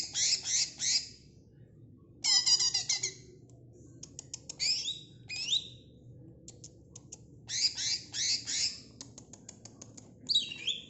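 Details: Greater green leafbird song, a string of scratchy chattering notes, quick clicks and rising whistled slurs delivered in uneven bursts over a quiet background.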